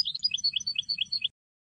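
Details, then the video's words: Tunisian European goldfinch singing a Sfax-style song phrase, recorded in 2022 for tutoring birds: a fast run of bright, twittering high notes alternating with short buzzy chirps, lasting just over a second before stopping, with a faint low rumble beneath. "الحسون التونسي, طرقة حسون صفاقس للتصنيت"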